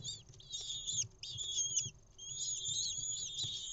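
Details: Lesser kestrel chicks in a nest on a live camera in Israel on 6 May 2021, begging as their mother brings an insect: high, thin, wavering squeals, continuous with short breaks, layered from several chicks.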